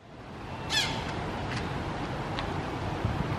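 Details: Early morning just after dawn in Singapore, a flock of three wild Sulphur-crested cockatoos perched in a Golden Shower tree, crest-displaying and feeding on long pods: one harsh, rasping screech, then two shorter, fainter squawks over a low rumble.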